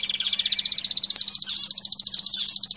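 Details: A single long, rapid canary trill from a cage, pulses repeating many times per second and rising slightly in pitch, with a soft hum underneath.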